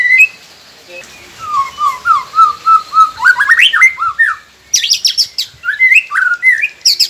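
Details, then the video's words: Captive white-rumped shama song meant to get quiet birds singing: a series of repeated upslurred whistles, then fast twittering notes and high chirped bursts, about three notes a second. "Murai Pendiam Cepet Buka Suara dengan masteran ini | shama bird"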